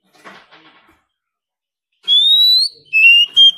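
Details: Oriental magpie-robin in competition song, a wild-caught bird provoked into intense singing: after faint scratchy sounds, a long rising whistle, then two shorter bright whistled notes at a high pitch.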